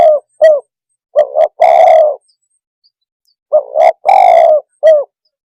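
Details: Spotted dove (tekukur) cooing to provoke other birds: two separate short coos open, then two full phrases of quick paired notes and a long burry coo, each followed by a single short note.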